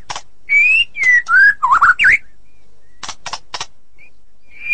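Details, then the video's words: White-rumped shama, a kept songbird, delivering clear slurred whistles that dip and rise, wavy warbled notes, then short harsh rasping bursts separated by pauses. "Murai ngeplong dan ngeroll super rapet"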